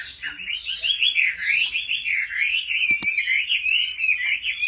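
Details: Competitive song of a Chinese hwamei trained at home: a continuous, rolling stream of bright warbled whistles that climb and dip without break, with two sharp clicks partway through.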